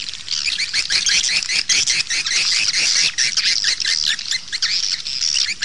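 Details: Swiftlets calling, a recording used as outside playback to draw birds into nest houses; many high, squeaky chirps repeat rapidly and unevenly in a steady, crowded twittering chorus.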